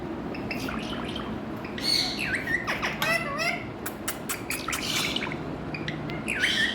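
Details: Colourful Indian ringneck parakeet, presented as talking, giving a busy run of harmonic squawks and swooping, gliding whistled notes. Some are rising, some falling, with short clicks between them over a low steady background hum.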